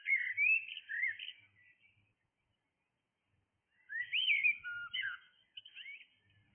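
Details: Blackbird singing in the early morning hours: two bursts of rich, fluting whistled phrases with quick upward and downward slurs, separated by about two seconds of silence, in a quiet outdoor setting.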